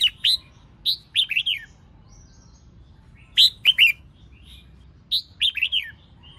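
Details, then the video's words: Female red-whiskered bulbul singing to stimulate males: three bursts of bright, warbling whistled notes, each a quick cluster of sharp chirps and slurred phrases, separated by about two seconds of quiet. "Tiếng chào mào mái kích trống hót líu lo"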